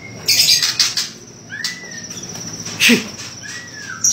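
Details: White-rumped shama song fragments: brief high buzzy bursts, a few clear downward-sliding whistles spaced about a second apart, and one short harsh note, with a faint steady hiss throughout.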